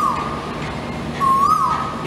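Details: An Asian koel calls in the morning in Thailand, where it is heard especially in the first half of the year: a clear whistled note, then a second one that swoops upward, over a steady low background hum.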